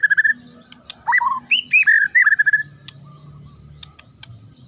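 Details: Murai (magpie-robin) giving a sharp song to make other birds reply: a short burst of swooping, slurred whistles rising and falling, followed by near silence with faint distant notes.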